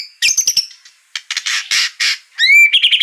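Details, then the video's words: White-rumped shama song used as a lure to provoke another bird into singing: harsh buzzy notes and raspy bursts, then a rising whistled sweep and a quick chattering trill. "pancingan murai agar narung gacor emosi"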